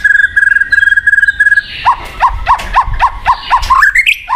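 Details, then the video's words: White-rumped shama singing to prompt a silent bird: a fast train of repeated clipped notes, then about eight evenly spaced downslurred whistles, ending in rising higher whistled notes. "PANCINGAN BUAT MURAI MACET | WHITE RUMPED SHAMA SONG"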